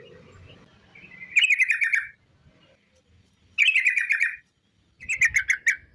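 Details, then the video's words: Sooty-headed bulbul giving long 'ropel' song used as a lure to get other bulbuls singing: three bursts of rapid, bubbly repeated notes, each under a second, separated by short silences, with a faint low murmur at the start. "TRUCUK Gacor ROPEL PANJANG pancingan trucuk agar BUNYI"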